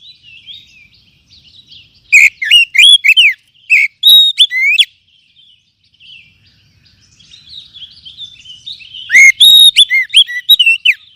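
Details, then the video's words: Oriental magpie-robin (kacer) lure song for adult and spotted young birds: quiet chattering warble breaking into loud, rich whistled phrases of rising and falling slurred notes, repeated after a pause. "TERBUKTI AMPUH PEMULIH KACER MACET BUNYI JAMIN NYAUT DENGAR KICAUAN INI"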